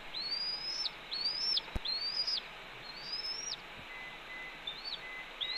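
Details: At a Cornell red-tailed hawk nest, 28 April 2013 around 10:53 AM, one bird scolds its branch-carrying mate with repeated upslurred whistles that break off steeply; a soft click and quieter notes follow later.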